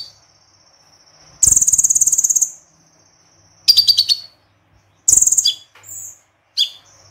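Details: Crossbred white-eye, known as konin, singing full 'tembakan': a long piercing rattled trill, then shorter sharp high bursts and chirps spaced over several seconds, against a thin steady whistle.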